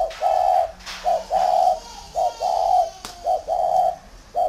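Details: Large tame spotted dove from a bird garden in Ba Vì, northern Vietnam, giving mellow low coos in short phrases: a brief note followed by a longer drawn-out coo, repeated about every second, with faint clicks in the background.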